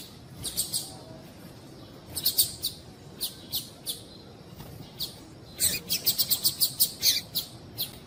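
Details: Female double-collared seedeater (coleiro) giving high, sharp chip notes, singly and in quick runs of five or six, over a faint low background hum; the calls are played to stimulate males to sing.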